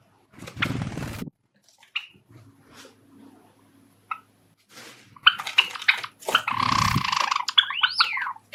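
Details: A pet male Java sparrow, a skilled singer, sings its courtship song: rapid clicking and bubbling notes that end in thin, bell-like whistles. A human voice and household noises come earlier.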